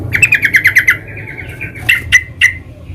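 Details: Sooty-headed bulbul recorded in the wild, close and loud: a rapid chattering burst of about eight sharp notes, followed by three separate emphatic chirps, with low rumbling background noise.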